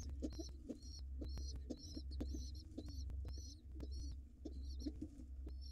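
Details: Nestling pigeons, wild, begging while fed before nightfall at a monitored nest: bursts of high, squeaky paired peeps in uneven runs, with low thumps and shuffling beneath a constant low drone.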